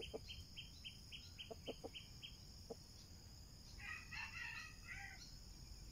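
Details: Red junglefowl being lured with a decoy: a few low, short clucks, a quick run of thin high notes, then a harsh, ragged crow lasting over a second, over a steady high insect drone.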